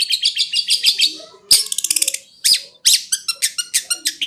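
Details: Cendet (long-tailed shrike) tutor song in the konslet style: a series of scratchy chattering notes, then a fast dry trill, then more evenly spaced harsh chirps.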